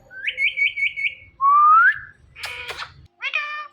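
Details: Pet ringneck parrot: a trilling whistle pulsing about five times, a clear rising whistle, a rough scratchy squawk, then a short voiced talking note.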